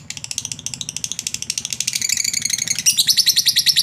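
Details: Lovebird giving a long chattering 'ngekek' used as a lure to call a rival: fast, dense high-pitched chatter of rapid repeated notes, building louder and shriller toward the end.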